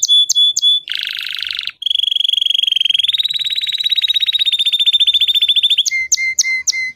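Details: Canary singing: a few sharp high chirps, then a buzzy low trill, a long fast rolling trill held at one pitch, and closing repeated lower chirps, with no background sounds.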